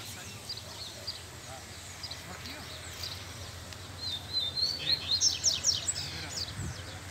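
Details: Male Double-collared seedeater singing outdoors in the bush, a burst of quick, high, sharp twittering notes in the second half after a quieter start, with a man talking softly and faint background noise.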